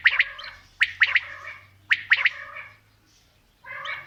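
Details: Mixed female and male quail calling: three sharp triple-note phrases close together over a low steady hum, then a quiet gap and a softer, blurred, harmonic call.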